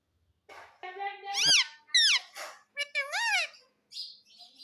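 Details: Pet parrot talking indoors: flat held tone, then loud arched syllables rising and falling like spoken words, followed by a brief high chirp.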